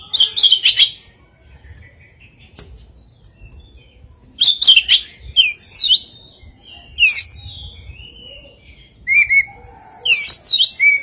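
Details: Oriental magpie-robin singing an unusual song with very rare fill-in phrases: bursts of bright, wavering, warbled whistles and sharp chips, separated by several seconds of near silence.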